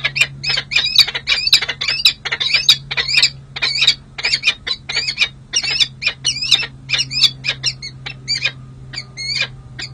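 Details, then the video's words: A pair of Peregrine falcons in a long pair-bonding session at a city hall nest ledge in San Jose, July 2024, after the breeding season: rapid, sharp, scratchy chupping notes in a dense series, slowing and thinning toward the end. "Hartley & Monty Enjoy Long & Well-Deserved Bonding Time"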